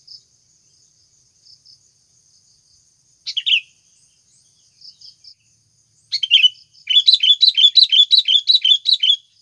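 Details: Sooty-headed bulbul in a natural lure recording for bird catching: isolated chirps, then a fast run of evenly repeated bright notes, roughly three per second, over a faint high insect drone.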